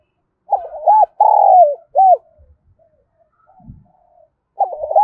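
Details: Lure spotted dove from Đồng Nai, Vietnam, calling to excite wild doves. One cooing phrase of quick stuttered notes, a long rolling falling coo and a clipped arched coo, followed by near silence with faint low sounds, then the next phrase begins.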